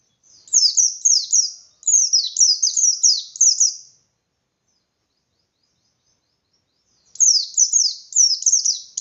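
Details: Kept white-eye singing loud ngalas song with beak wide open to stir other white-eyes to fight, two bursts of quick high descending chirps, then a long silence and another rapid burst.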